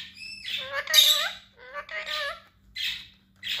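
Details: A pet parrot, one of three tamed talkers kept at home, imitates human words: squeaky, harmonic speech-like phrases mixed with short harsh squawks, separated by brief pauses, indoors.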